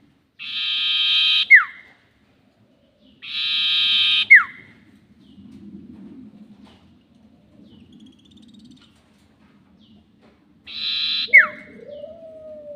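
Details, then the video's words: Sirtu calls used as a lure for trapping birds: three harsh, buzzy bursts, each ending in a sharp falling whistle, spaced several seconds apart, over a low steady hum. "SIRTU NYIUL PANJANG ..... ‼️ Cocok Untuk Pikat || Suara Pancingan Sirtu"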